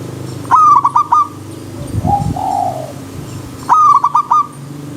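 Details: Zebra dove song in the wild, stuttering bursts of short ringing coo notes that come twice, with a softer, lower, rounded coo and faint low thumps between them.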